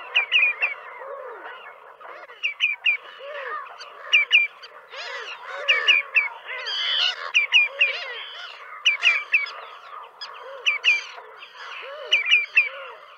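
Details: In Central Russia, a Common Redshank gives sharp, high piping notes in quick repeated bursts every second or two, with lower croaking notes, possibly frogs, underneath.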